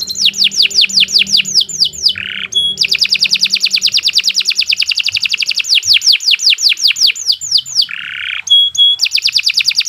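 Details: Canary in long continuous song, suited as a master for training: rapid repeated high sweeping notes in long rolling trills, broken by short lower buzzy phrases and a few pure whistled notes, loud and steady throughout.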